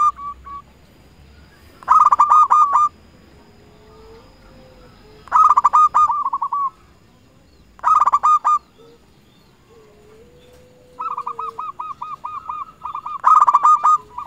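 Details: Local zebra dove (perkutut) luring and calling rivals: loud rapid cooing bursts every three seconds or so, softer sliding calls between, then a longer run of evenly spaced coos joining a final burst.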